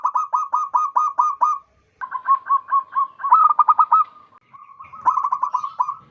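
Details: A wild local zebra dove gives loud, strong calls meant to lure birds for trapping; quick rolling coos run in repeated series, softer in the middle then loud again near the end.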